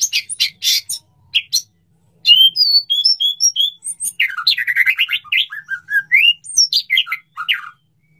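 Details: Male white-rumped shama (murai batu) calling to and courting a female, ready to mate: harsh chips, then a run of clear repeated whistles, followed by rapid varied slurred notes and chatter.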